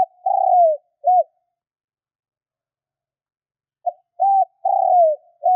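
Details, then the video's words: Spotted dove (cu gáy) luring call for wild doves: the end of one phrase, a long falling coo and a short coo, then after about three seconds of silence a fresh phrase of short note, level coo and long drooping coo. "Tiếng chim cu gáy kích bổi nhanh nổi"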